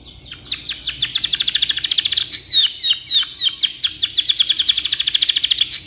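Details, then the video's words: Canary singing a long song for tutoring, here a continuous rolling trill of quick descending notes repeated about three times per second, bright and high, with no other sounds. "GACOR KICAU PANJANG COCOK BUAT MASTERAN"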